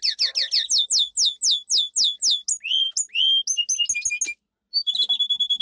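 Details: Domestic canary in powerful song for training, opening with a run of loud downward-slurred notes, then varied swoops and twittering phrases, a brief pause, and a rapid high trill.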